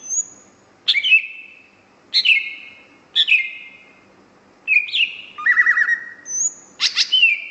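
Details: Greater green leafbird singing intensely: loud downslurred whistles that fall and level off, each opening with a sharp note, given about once a second. The phrases are mixed with a thin high whistle and a fast stuttered chatter.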